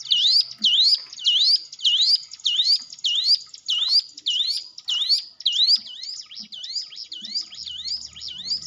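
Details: Training lure of hill prinia song for shy cage birds: loud sharp upward-sweeping notes repeated steadily, weakening toward the end where a low hum enters.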